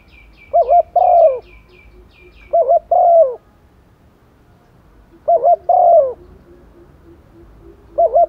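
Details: Decoy female spotted dove calling males during the rainy season, four mellow phrases about every two and a half seconds, each a short doubled note followed by a drawn-out descending coo; faint high chirps from another bird at the start.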